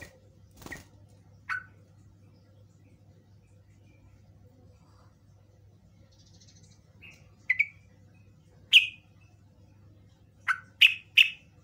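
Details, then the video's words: Sooty-headed bulbul giving a few bright, bubbly chirps, some in quick pairs, spaced irregularly over a low steady electrical hum; used as a lure call to provoke other bulbuls into answering. "PANCINGAN TRUCUKAN STRES LANGSUNG FRESH"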